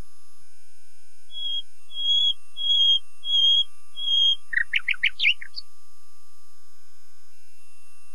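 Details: Common nightingale singing a phrase of four slow, pure whistled notes, each slightly louder, followed by a quick burst of sharp, scattered chirps and a final high note, against a clean, quiet background.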